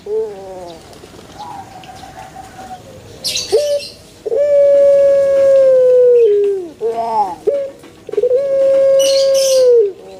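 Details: Pelung chicken crowing: several long drawn-out level tones with falling endings, each preceded by short clucking notes, with brief chirps of other birds in between.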